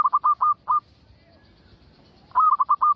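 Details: Zebra dove calling, played to bring other zebra doves in: a quick stutter of five low coo notes, a pause of over a second, then another run of five or six rolling coos.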